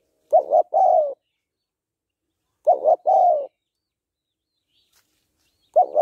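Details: Female spotted dove calling to stimulate males: three full coo phrases about every two and a half seconds, a clipped double note leading into a long, smoothly falling coo.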